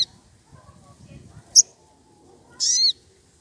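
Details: Sogon, worked up and seeking a rival: a brief high squeak, then a longer shrill, wavering squeal a second later, over quiet low rumbling and rustle.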